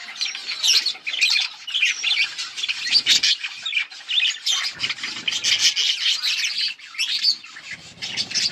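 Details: Group of budgies, recorded August 19, 2024, keeping up lively chirping: rapid, rasping squawks and twitters layered densely, barely a pause across more than eight seconds.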